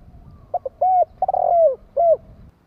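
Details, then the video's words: Spotted dove raised as a decoy gives its cooing phrase: two short hoots, an arched note, a long stuttered note sliding down, then an arched finishing note over faint low background hum. "Chim cu gáy hay kích bổi nhanh nổi"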